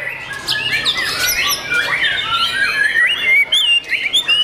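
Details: Young kept white-rumped shama singing: loud, varied whistled phrases that slur up and down, with rapid warbled notes and sharp high accents, over a faint background hum.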